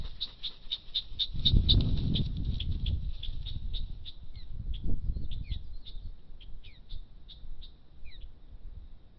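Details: Osprey during a struggle over its nest: a fast buzzy series of high notes half masked by strong wind, then cleaner down-slurred chirps at irregular intervals.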